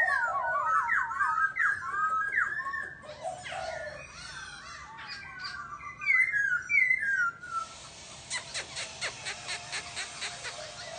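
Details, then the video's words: Laughingthrush pouring out a fast, varied song of looping whistled and chattering phrases for several seconds, followed by a run of dry repeated clicks and a softer steady tone. "Chim Khướu kêu ríu rít"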